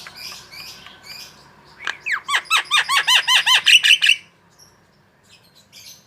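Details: Javan myna kept as a cage bird, singing actively in a training recording: soft chatter, then a loud run of about a dozen arched whistled notes, evenly repeated about twice a second, ending abruptly.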